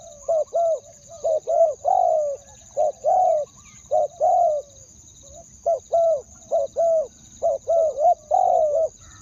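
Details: Two-word coo of a spotted dove decoy luring wild doves; dense runs of low, soft coos, short notes mixed with longer drawn ones, nearly continuous across the stretch over a faint steady whine.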